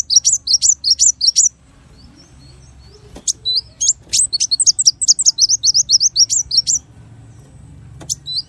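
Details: Small bird in richly varied song with 'tembakan' bursts: a quick run of high bright chirps, a short pause with a single click, then a long rapid stream of twisting whistled notes, and one closing sharp note.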